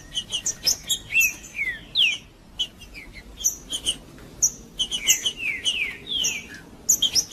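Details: Trinca-ferro, a male green-winged saltator, singing in macheando style to warm up rival birds: bright, fast downslurred whistles in grouped phrases, interspersed with short high chirps, a brief quieter pause midway, steady low hum beneath.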